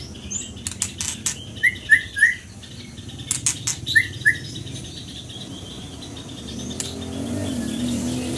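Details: Short bursts of Scarlet minivet song: three quick down-slurred whistles, a pause, then two more, among tapping clicks and faint background noise.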